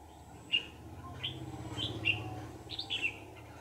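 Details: Red-whiskered bulbul, a wild adult taken in a trap and afterwards released, uttering short sharp whistled notes roughly every half second to second, with a low rumbling hum throughout.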